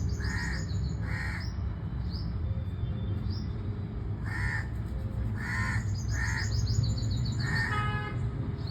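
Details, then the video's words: Crow calling with harsh, hoarse caws in short bursts, some doubled, spread across several seconds; thin rising chirps from another bird above a steady low rumble of background noise. "Crow Bird Sound"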